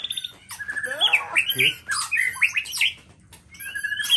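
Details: A black-tailed white-rumped shama from Nias sings a fast, varied run of rich whistles, slurred rising and falling notes and harsh chattering bursts, with a faint background hum.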